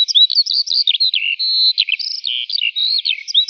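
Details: Eurasian skylark morning song: a brisk flow of high chirps and slurred whistles, with one sustained level whistled note in the middle and quick twittering around it.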